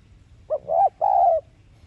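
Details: A single spotted dove decoy phrase in the thúc gù style, used to stimulate caged birds: a brief soft lead-in note followed by two longer, low, hoarse coos.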